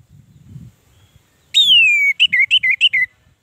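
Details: Captive-bird stimulation recording of an orange-headed thrush: after faint low rumbling, one long whistle slides downward, then five or six short, clear notes follow in a fast, bouncy series.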